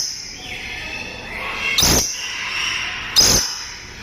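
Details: Dusky lory at a breeding facility gives two harsh, grating screeches about a second and a half apart over a thin, steady whistling tone in the background.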